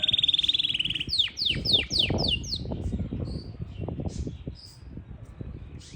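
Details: Yorkshire canary from Parachinar: a steady buzzy tone, then a series of loud downward-sweeping notes about four per second, fading into faint chirps amid low room noise.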